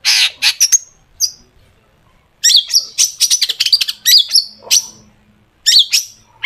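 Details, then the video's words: Long-tailed shrike singing vigorously, a song full of sharp 'tembakan' phrases used as a lure to get other shrikes singing; bursts of harsh, buzzy chatter and rising whistled notes, a pause of over a second, then a dense run of phrases. "cendet gacor FULL ISIAN TEMBAKAN TAJAM untuk PANCINGAN CENDET AGAR BUNYI jadikan BURUNG PENTET GACOR"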